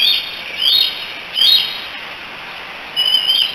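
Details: July 16, 2018 at the Decorah eagle nest: three young bald eagles call for their mother with high, squealing whistled notes, each slurring downward, spaced roughly a second apart, with a quiet gap before a final call.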